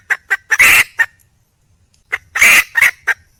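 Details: Female red junglefowl calling for a male: a few short, clipped clucks, then two loud, harsh, broadband squawks about one and a half seconds apart, each followed by quick clucks, in a quiet setting.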